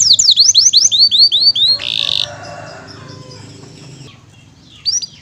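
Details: Canary singing in a training recording with a rich repertoire: a chain of quick dipping whistles, then a short buzzy burst, followed by a near-silent pause and one last brief phrase.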